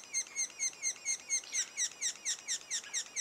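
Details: Sapsucker nest, two days before the first fledge: clean falling chirps at a steady pace of about two per second, turning harsher and broader in the second half.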